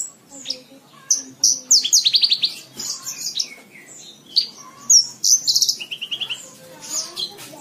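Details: High, varied bush lark song meant for training caged birds: mixed whistles, fast descending trills, chirps and sliding notes in irregular bursts.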